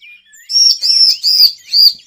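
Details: Bar-winged prinia lure call for trapping: loud, high, slurred whistled notes repeated four times at roughly half-second intervals, each phrase a bright rising-falling chirp, after a brief quieter twitter at the start.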